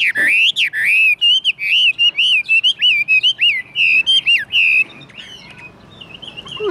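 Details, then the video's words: Caged Chinese hwamei, kept as a very tame bird that sings in any setting, pours out a loud series of wavering whistled notes, quickly repeated and looping, ending abruptly before faint softer notes. "HM 1955 - SIÊU THUẦN HÓT MỌI ĐỊA HÌNH"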